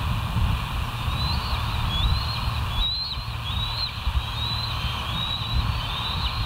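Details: Bald eagle at West End, recorded by a live nature cam on 08/04/2023: a series of thin, high, slightly wavering whistled calls, fairly faint, repeated every second or so over a steady low rumble.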